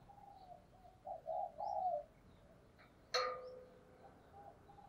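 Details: Decoy spotted dove luring wild doves, its low cooing notes soft against steady background hiss, followed by a sharp click-like sound and faint high chirps from other birds.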